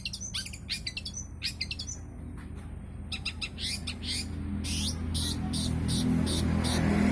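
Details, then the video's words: Long-tailed shrike in lively full song packed with varied filler phrases: rapid, high, sharp chirps and twitters in dense bursts, a sparser middle stretch, then strong chirping again over a steady low hum. "CENDET GACOR FULL BANYAK ISIAN SUARA BURUNG"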